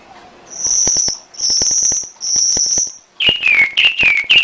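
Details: Canary song from a training master: three long high whistled notes with brief gaps between them, followed by lower wavering slurred whistles in quick succession.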